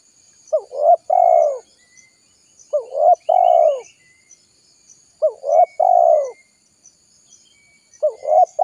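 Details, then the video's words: Spotted dove calling to draw wild birds in for trapping: phrases of two short coos and a long falling coo, repeated about every two and a half seconds, with faint high chirps from other birds. "Suara Burung Tekukur Gacor Paling Ampuh Untuk Pikat Dan Pancingan"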